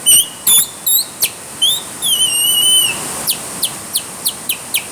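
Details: Bird singing in the rain: clear whistled notes sliding up and down, a drawn wavering high phrase, then sharp high descending chips every half second over steady rain hiss.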